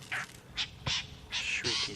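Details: A roller, heard close by but unseen before it flew off, gives harsh, rasping shrieks, about five grating bursts in two seconds, beside a dam on a morning safari at Simbambili Game Lodge, 21 May 2020.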